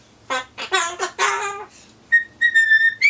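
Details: Solomons corella kept as a pet, talking to itself while awaiting pumpkin. A quick string of gravelly mimicked syllables is followed by steady, clear whistled tones in an off-key sung phrase.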